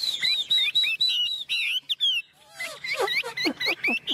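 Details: Chinese hwamei, a tame cage bird, delivering a brisk song of repeated bright whistles with short upward flicks, a brief pause, then lower falling slurs and rapid sharp downward-swept notes.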